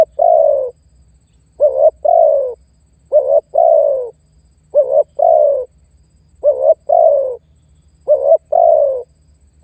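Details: Lure call of a spotted dove pressing a rival: six evenly spaced phrases about every 1.5 seconds, each a quick double note then a long, low, downward-sliding coo, over a soft background hum.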